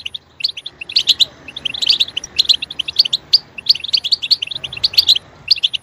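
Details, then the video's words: Goldfinch song used to stimulate chirping, lively high twitters and trilled notes coming in quick clusters, rising in density midway. "Stimulating a goldfinch clip to make it chirp in a loud and wonderful voice"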